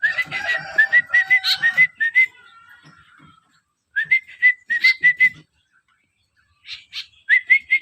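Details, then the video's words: Begging from a hand-fed white-breasted woodswallow: runs of quick whistled double chirps, a sustained lower tone beneath the first burst, then further clusters of chirps and some rustling between them. "lolohan Kekep"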